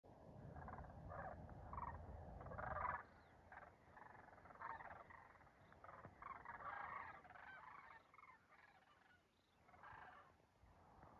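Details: A flock of sandhill cranes flying right overhead gives rolling, rattling bugles, many voices overlapping in a loose chorus; a low wind rumble fills the first few seconds.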